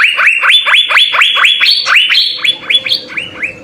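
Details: Asian fairy-bluebird, kept as a songbird, singing vigorously in the full-isian style for tutoring other birds: fast series of loud ringing notes, each sweeping sharply up then down, about two per second, with slight pitch shifts between phrases.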